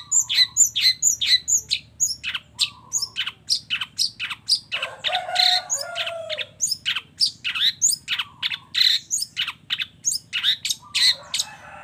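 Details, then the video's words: Long-tailed shrike singing steadily, a combined song with mimicked fill-in phrases: a dense, unbroken stream of scratchy chips, sharp squeaks and rapid varied notes, with short lower whistles and a brief harsh rattle midway. "suara kicau cendet gacor FULL KOMBINASI ISIAN AMPUH"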